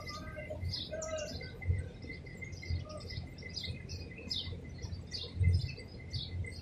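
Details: A Madagascar hoopoe feeds chicks at a nest hole in a palm tree in Abu Dhabi, UAE: a steady series of thin, high, downslurred chirps about twice a second, some lower notes, over a constant low rumble.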